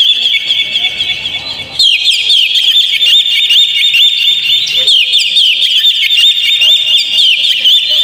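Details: Kacer (Oriental magpie-robin) song used to spur a caged bird into song: a quieter opening, then after about two seconds an intense, nonstop torrent of rapid high chirps and trills.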